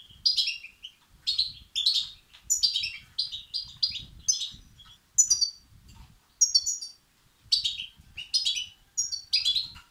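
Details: European goldfinch chicks begging, used to rouse males. About twelve bursts of shrill, buzzy chirps are spaced fairly evenly over ten seconds, some rising and some falling, over a faint low-pitched background murmur.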